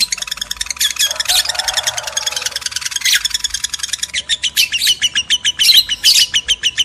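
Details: Mating-stimulation calls of male and female lovebirds: a thick stream of high twittering with a brief lower hum in the background, ending in evenly spaced sharp chirps roughly three per second.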